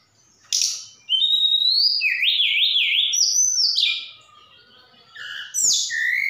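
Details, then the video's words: Javan bush lark from Sukabumi singing a song full of mimicry such as cililin and sikatan londo: a sharp note, then wavering whistles stepping up and down, a pause, and harsh falling chips. "Tledekan Gunung Gacor"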